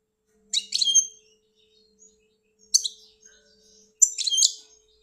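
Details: Goldfinch from Algeria uttering three short bursts of bright twittering notes about two seconds apart, with quiet gaps and a faint low hum.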